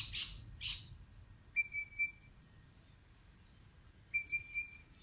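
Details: A singing bird gives two quick high chirps, then flat whistled notes with buzzy overtones, delivered in short bursts of two or three and repeated after a pause, over quiet low background noise.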